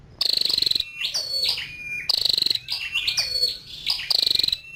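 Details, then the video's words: Female scarlet-backed flowerpecker: three bursts of high, pulsed, buzzy notes, roughly one each second and a half, separated by thin sliding whistles. "Tiếng chim sâu đầu đỏ mái"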